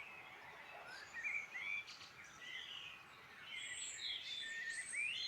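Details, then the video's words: Irish Midlands birdsong: mixed chorus of short whistles, rising slurred notes and high chirps from several birds, phrases coming and going in uneven bursts. "Beautiful birdsong in Ireland Midland"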